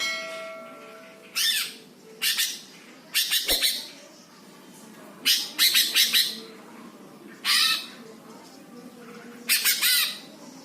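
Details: Greater green leafbird, tagged Jepara, used as a training song meant to provoke other birds: harsh, buzzy bursts of chattering notes with some descending whistled strokes, given in separated phrases every one to two seconds.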